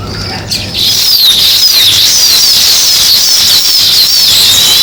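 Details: Weaver birds chirping while building their nests, a dense, continuous chorus of high, thin twittering notes from many birds overlapping throughout, with a brief low hum at the start.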